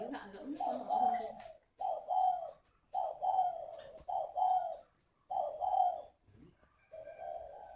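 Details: A captive Spotted Dove kept as an old decoy bird gives low, hollow, soft coos in short phrases about a second apart, indoors, while a man talks over them in Vietnamese.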